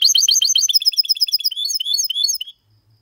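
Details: Goldfinch x canary hybrid (mixto) in clean song, delivered to stimulate males to sing and for young birds to memorise; rapid high twittering phrases of repeated buzzy notes, about three per second, ending abruptly after two and a half seconds.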